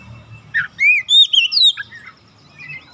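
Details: Untrained oriental magpie-robin in full voice: a short phrase of rich, clear whistles rising and then curving downward, followed by softer trailing notes.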